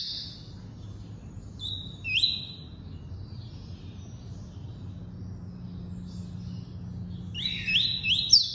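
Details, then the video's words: Double-collared seedeater (coleiro) giving short bursts of high, sweet whistled and slurred notes in the tuí-tuí style, spaced by pauses, over a steady low hum; a song meant for training young birds (encarte). "COLEIRO FLASH ENCARTE (TUÍ-TUÍ)"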